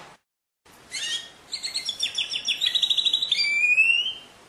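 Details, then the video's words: A canary sings a rapid run of high, sweet notes: a buzzy burst, then quick repeated chirps and trills speeding up, closing on a long rising whistle, clear against a faint hiss. "Chant du Canari- تغريد الكناري"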